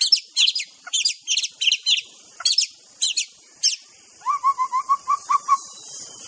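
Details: Aceh white-rumped shama training song: high, sharp, metallic double notes repeated about twice per second, then a lower, evenly pulsed run of soft rising whistles.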